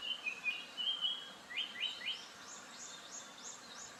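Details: Japanese paradise flycatcher: a phrase opening with short whistled notes, then quick upslurred notes that climb into a run of thin, high rising sweeps repeated about three times a second, fading at the end.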